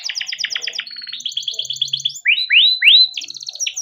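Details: Caged male canary, a lure for training young canaries, singing fast buzzy trills, a held high note and rattling roll, then three loud rising slurred whistles and another quick trill.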